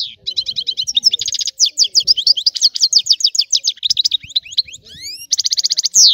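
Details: European goldfinch from Sicily delivering a rare old-style song: an unbroken, lively stream of high twittering notes, buzzy trills and quick rising slurs, with a fast, dense rhythm throughout.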